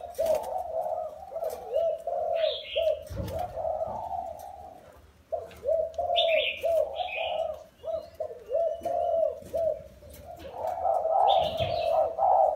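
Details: Spotted dove kept caged four years after wild capture delivers long bouts of rapid, low, bubbling coos, interrupted by a brief pause and higher chirps.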